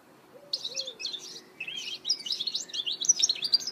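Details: Goldfinch hybrid (mule) singing a fast, high, tumbling warble of chirps, twitters and short slurred whistles that grows denser toward the end. A faint low hooting note sounds early on.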